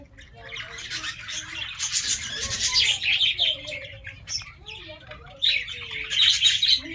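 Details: Colony of Australian parrots: dense, continuous warbling chatter of many birds with high twittering and squawky notes rising and falling in waves, over a low background hum.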